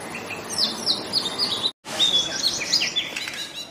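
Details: Male Oriental magpie-robin singing in the wild in Indonesia: a lively run of clear whistled and slurred high notes, varied and quickly repeated, broken by a brief gap, against a constant hiss of background noise.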